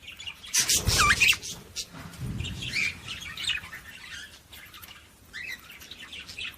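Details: Budgie chatter played to stimulate other budgies: a loud burst of squeaky, rising chirps opens, then quieter rambling warbles continue in bouts.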